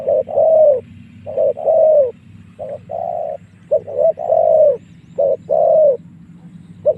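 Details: Spotted dove cooing as a lure to bring wild doves in to fight: deep, hollow coo notes alternating short and long, repeated steadily about once a second over a faint low background hum.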